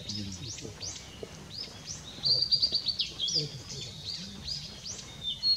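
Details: Blue-and-white flycatcher (Cyanoptila cyanomelana) singing on 6 May 2016: clear high whistled notes, some rising and some falling, with a fast buzzy trill in the middle. A low hum runs underneath.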